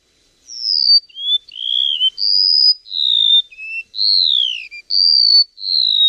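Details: Bird giving a series of long, pure whistled notes, each held about half a second, alternating between higher and lower pitches, some sliding downward, with a slight tremolo, in a quiet setting.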